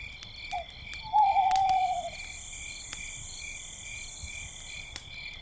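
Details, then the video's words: At night by a campfire, an owl gives a short note, then a hoot of about a second that sags slightly in pitch, over steady high cricket trilling and crackling fire. "campfire night sounds - with owls and crickets"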